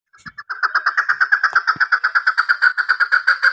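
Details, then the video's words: A female chukar partridge hunting call gives a rapid, steady run of harsh clucking notes, about three per second, with a faint thump or two early on. "Female Hunting Sound Madi Chakor Awaz"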